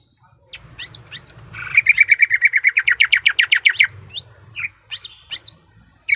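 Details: Greater green leafbird female in heat calling the male: a few sharp upslurred chirps, then a fast run of ringing notes about eight per second that turns into a trill, ending with scattered whistled calls.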